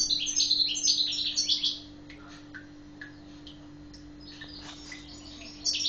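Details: Badri Guelma European goldfinch in captivity giving a brief burst of fast tinkling twitters, then scattered soft single chirps before song resumes at the end; steady low hum behind.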